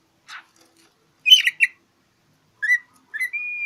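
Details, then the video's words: Oriental magpie-robin singing to provoke a rival: a faint rasp, a loud burst of chattering notes, then short whistles leading into a long steady high whistle. "Kicau KACER cari LAWAN"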